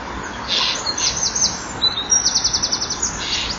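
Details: Eurasian wren singing at 18:29 on 11 October 2011 from a hole in the middle of a nesting wall, near a kingfisher's nest tunnel; high, rapid trills of repeated sharp notes in bursts, with a fast rattling run in the second half.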